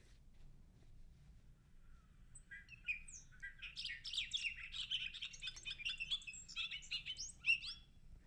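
A Bobolink's bubbly, tumbling song of rapid metallic notes and buzzes, jumbling high for about six seconds like excited chatter, over a low steady rumble.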